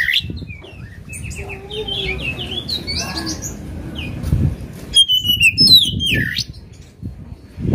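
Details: Oriental magpie-robin song meant to goad a rival: scattered whistled and slurred phrases, quieter at first, then a sharp burst of falling whistles and chatter near the end over low background rumble.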